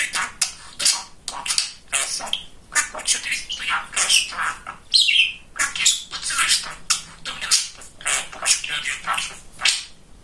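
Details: A chatty male pet budgie keeps up a steady stream of raspy, speech-like syllables and high chirps for ten seconds, with brief sharp whistles in between.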